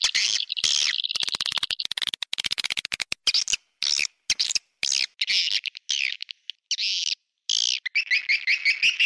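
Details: Swiftlet lure call: dense high twittering chirps and rapid clicks, cut into abrupt bursts with short silent gaps, ending in a run of evenly spaced bright chirps.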